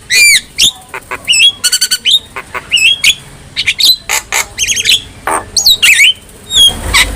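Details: Javan myna singing as a tutor recording for training other mynas: a lively run of harsh squawks, sharp clicks and bent whistled notes, rising and falling, delivered in quick bursts with brief pauses.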